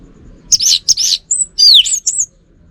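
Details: Orange-headed thrush, a kept bird, delivering a short burst of high rich warbles: two buzzy slurred notes, a thin high whistle, a downward-sweeping note and a final high chirp.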